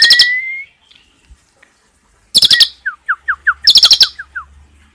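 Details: Asian pied starling in 'tembakan' song with 'cililin' fill, suited for tutoring other birds: a rising whistle, a pause, then dense clicking bursts interleaved with a quick series of short downslurred whistled notes.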